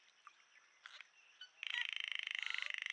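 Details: A gang of Racket-tailed Treepies at a forest pool in Huai Khayeng Nature Park, Kanchanaburi, Thailand, in March, recorded by a trail camera; scattered chattering notes, then a loud rapid burst of harsh, metallic, rattling calls repeated several times a second.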